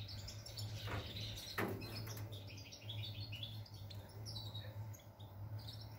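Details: Goldfinch singing, recorded on 11 July 2020, a bright jumble of quick high chirps and tinkling twitters, preceded by two sharp knocks near the start and set over a constant low hum.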